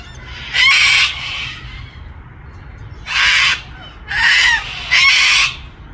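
A cockatoo gives four harsh, raspy screeches, each about half a second long, spaced irregularly over a few seconds against a faint low hum.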